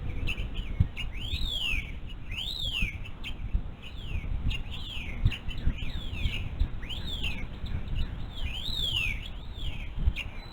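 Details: Adult female bald eagle calling at the nest on her eaglet's one-month birthday, with forest birds joining in; a steady run of short, high, arched chirps, roughly two each second, over low rumbling background noise.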